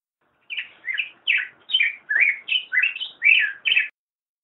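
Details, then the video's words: Black-headed grosbeak song: about nine rich warbled phrases in quick succession, each sliding up and down in a mid-high whistle, forming a continuous robin-like carol over a quiet background. "Black-headed Grosbeak Singing - Picogrueso Pechicafé Cantando"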